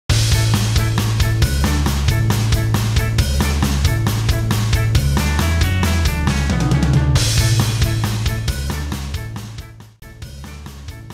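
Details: Loud rock music with pounding drums, bass and guitar, and no animal voice. The band plays steadily, then the music fades briefly near the end before resuming.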